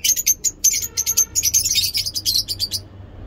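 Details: Morning ngekek song of mini-zoo lovebirds: fast, steady streams of shrill chirps running almost nonstop for three seconds, with a faint low tone underneath partway through.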